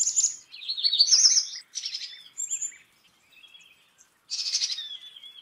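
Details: Black-capped chickadee with a quick high-pitched opening, a wavering run of buzzy notes, then separate raspy bursts and a short high whistle, ending in one more burst of harsh harmonic-rich notes.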